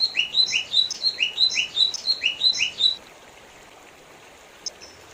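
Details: A lesser green leafbird repeats a quick two-part phrase, a rising slurred note then a sharp high whistle, about six times in three seconds before falling silent; one faint high tick follows.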